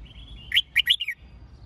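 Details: Red-whiskered bulbul kept for singing-competition training, giving a short burst of three or four bright, slurred whistled notes near the middle, preceded by a faint thin whistle and low background hum.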